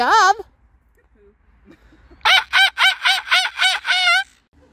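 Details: Moluccan cockatoo kept as a pet, making joyful greeting sounds in a park in summer: one brief wavering note, a quiet gap, then seven loud hoarse squawks in steady rapid succession.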